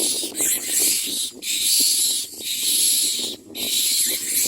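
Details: Common mynas at the nest with chicks being fed; long, loud, hissing rasps break only briefly about once a second, with faint rustling underneath.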